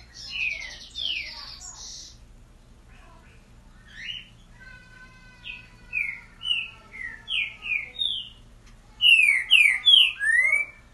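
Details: A rufous-bellied thrush of the boiadeiro song type sings clear, fluted whistled phrases, short rising and falling notes with a few harsher buzzy ones, over a faint low hum.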